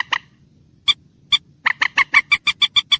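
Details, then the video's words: Common moorhen calling: about a dozen sharp clucking notes, first spaced apart, then quickening into a rapid even series of about six a second over a faint low hum. "ডুংকোর পাখির ডাক / ডুংখোর পাখির স্পেশাল ডাক / Common Moorhen bird call"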